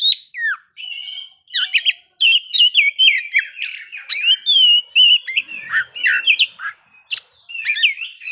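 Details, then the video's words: Oriental magpie-robin pours out its fill-in repertoire: opening whistles, then dense rapid chirps, buzzy notes and downslurs, repeated in loud bursts separated by brief pauses. "kacer ngeplay bongkar isian"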